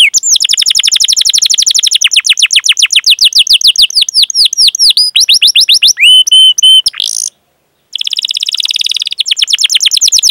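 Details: Canary singing a long 'cuit cuit' rolling song meant as a lure to train young or silent canaries: rapid high downslurred notes repeated about four per second, shifting into buzzy trills and looping whistles, with a brief silence near the end.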